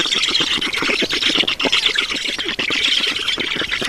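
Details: Black storks at a nest in Estonia during feeding, 7 June 2019 at 16:18: harsh, rasping squawks repeated in rapid pulses, a dense buzzy chorus held steadily throughout with no quiet gaps.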